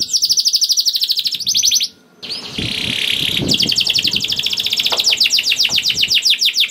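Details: Canary song intended to set other canaries singing: rapid rolling trills, a brief pause, then a harsher noisy passage giving way to a long series of fast repeated notes over faint background rumble.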